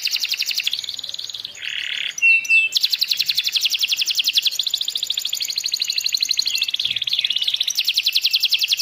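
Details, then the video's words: Young canary pouring out almost continuous rapid trills, played to make a quiet canary start singing; the fast pulses briefly break for a low burry phrase and a short whistle before the rolling trill resumes. "kenari paud kenari macet langsung gacor buktikan"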